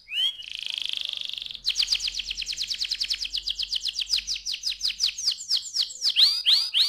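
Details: Young canary song opening with a short sweep and a sustained buzzy roll, then a long fast trill of descending notes that gradually slows into louder, spaced slurred phrases; faint low hum underneath.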